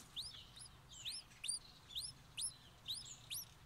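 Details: Streak-eared bulbul chicks being fed by a parent; sharp upslurred squeaky chirps repeated roughly every half second in paired bursts, high-pitched and insistent, with faint low background rumble.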